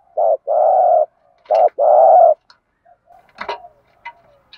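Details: Spotted dove in the 'thúc gù' style meant to stir other doves to call: two pairs of a brief coo and a longer steady coo, then faint clicks and a knock.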